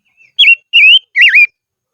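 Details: A decoy silver-eared mesia sings in highland country, giving three loud, pure whistled notes: a falling slur, a rising glide, then a wavering dip-and-rise, spaced about a third of a second apart in otherwise quiet surroundings.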